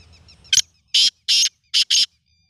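A black francolin gives a loud, harsh, grating phrase of five rasping notes: one short, two drawn-out, then a quick closing pair. Faint chirps come before it.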